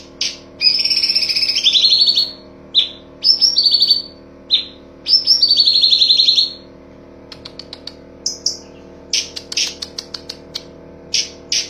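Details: Cucak cungkok singing tembakan bursts, used as master song for training songbirds: high trilled phrases sweeping downward, repeated in short packets, then scattered sharp clicks and chips.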